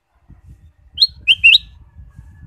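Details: Ruby-throated bulbul used as a stimulus song for caged birds gives a short, loud whistled phrase: one upslurred note, then two quick lower notes, over a low rumbling, rustling background.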